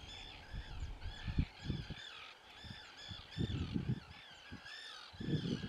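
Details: Black-headed gulls at Sarzeau give harsh, arching calls that repeat continuously and overlap as if from several birds, over bursts of low wind rumble.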